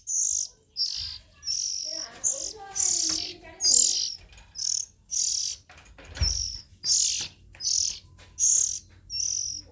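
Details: Young Oriental magpie-robins repeat short, raspy hisses roughly every second, with a soft low thump and faint chirps in the background.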